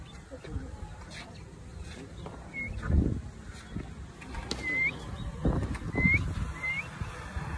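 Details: African grey parrot whistling: brief, clear upslurred whistles repeated four times, three in quick succession near the end, over human talking and low rumbling noise.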